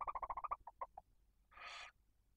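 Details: At a barn owl nest in Cabañeros National Park, Spain, with chicks one and four days old fed by the female on prey brought by the male, a fast series of short ticking chirps slows and fades, then one harsh hiss follows.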